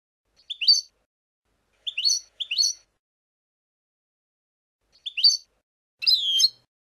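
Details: European goldfinch singing the 'Abu Khalil' song style used for teaching chicks: short bright chirping phrases, separate notes at irregular intervals, the last a longer buzzier twittering note.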